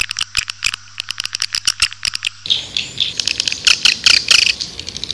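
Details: Swiftlet calling to attract birds: a quick series of sharp, separate clicks that gives way halfway through to a denser, buzzy twittering chatter with faint background hiss.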